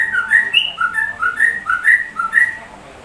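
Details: Sooty-headed bulbul giving a shama-like song: a fast series of short, clear whistled notes stepping up and down, about eight notes in three seconds.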